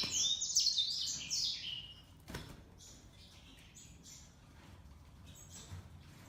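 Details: Grey singing finch paired with a canary. A fast, high twittering warble of rapid chirps fills the first two seconds, then a sharp knock, followed by softer, scattered high chirps over a faint low hum.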